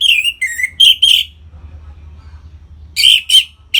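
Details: Captive orange-headed thrush singing in the loud 'ngeplong' style, recorded in North Bali to rouse other caged birds; clusters of sharp, slurred whistled notes, a gap of about two seconds, then another rapid burst.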